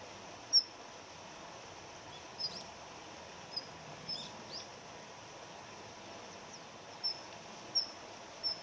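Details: Daurian redstart, male and female, a winter visitor of gardens that keeps a territory. Its high, thin ground-call pips come loose and irregular, with a few softer scratchy notes mixed in, over a faint steady hiss.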